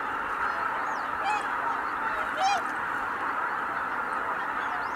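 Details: A background roar of greater white-fronted geese taking off together at Kabukuri-numa, 12 January 2019, with a couple of distinct yelping calls near the middle and faint upslurred notes.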